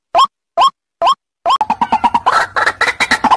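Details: White-breasted waterhen lure call: three separate loud upslurred nasal notes, then a fast run of repeated rising croaking calls that grow harsher and more crowded toward the end.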